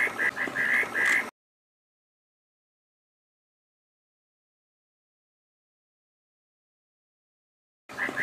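Reed parrotbill gives a quick run of five or six nasal, mid-pitched notes in just over a second, then silence, with a brief burst at the very end.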